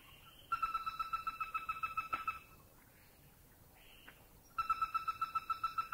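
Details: Greater Flameback recorded in a Thai national park (Khao Yai, Doi Intanon, Doi Suthep-Pui or Chae Son): two bursts of rapid, even, metallic trilled notes, about seven per second at one steady pitch, separated by a short quiet pause.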